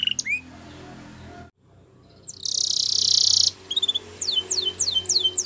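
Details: Canary singing. A few short high notes come first, then a pause and a loud, steady, buzzing roll, then a string of quick, descending whistled syllables.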